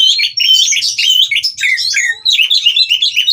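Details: Captive white-rumped shama at a breeding aviary, singing during mating to provoke rivals into song: a dense, rapid run of high whistled and chirping notes, sliding phrases tumbling over one another with brief pauses.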